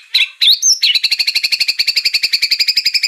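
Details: White-rumped shama song used as a lure to provoke a bird into singing: a few harsh notes and a bright upslurred whistle, then a long fast trill of evenly repeated two-toned notes, about four per second.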